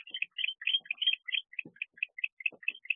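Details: An agitated male barn owl in a nest box in the early hours of 31 October 2023, with a predator nearby. Quick chittering notes run in a near-unbroken series, broken by faint thumps.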